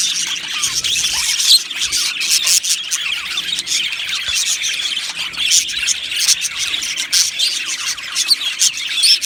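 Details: Many budgies chattering in an aviary colony; a thick, even twitter of high warbles and squeals, with short sharper chirps popping up now and then.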